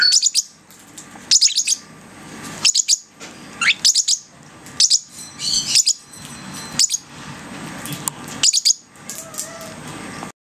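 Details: Lovebird chicks aged six weeks, learning to feed themselves, produce bursts of shrill, piercing chirps about once a second. Short pauses separate the bursts, with faint indoor background noise.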